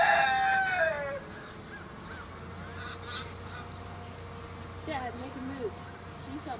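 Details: Golden Sebright rooster crowing: a loud, harmonic, somewhat hoarse crow already underway at the start ends with a falling tail about one second in, followed by a quieter stretch with a low steady hum and faint scattered chirps.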